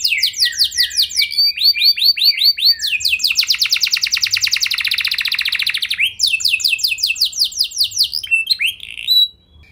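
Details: Canary song meant to trigger responses from other canaries: varied high sweeping notes followed by a long dense rapid trill and more quick chattering phrases, ending suddenly.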